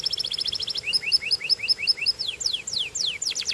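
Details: Belgian canary song: a rapid run of high ringing notes, then about ten evenly spaced rising chirps, then swift downward-sweeping whistles repeated several times.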